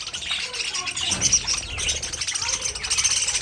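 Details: Pet budgerigars in an aviary colony give dense, overlapping high chirps and warbling twitters, a continuous busy chatter with quick trills and squeaks throughout.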